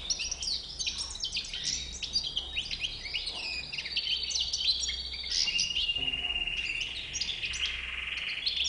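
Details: White-bearded (bouc blanc) goldfinch twitters in quick, tinkling phrases, then shifts into a long, steady, buzzy trill held for several seconds before further chirps, over a low hum.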